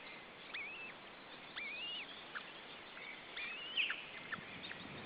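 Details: Male osprey at the nest as he tries to feed his chicks: a few thin whistled calls, some rising and slurred, spaced about a second apart over a steady background hiss.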